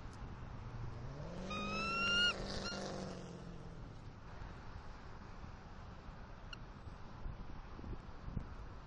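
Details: Bald eagle pair at a Southwest Florida nest, October 28, 2023, male delivering fish to the female: one short, high whistled call rising over a low rumble, then steady background hiss.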